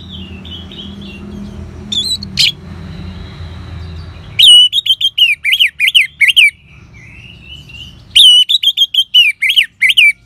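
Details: Orange-headed thrush in ngeban-style song, played as a lure to get caged birds singing: loud bursts of sharp, up-and-down chattering notes repeated quickly, with soft thin whistles and low hum between phrases.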